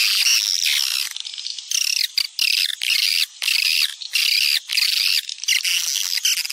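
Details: Swiftlet lure call popular in Sumatra, used to attract swiftlets: dense, continuous high chirping and buzzy twittering in rapid bursts separated by brief gaps, layered electronic-sounding calls.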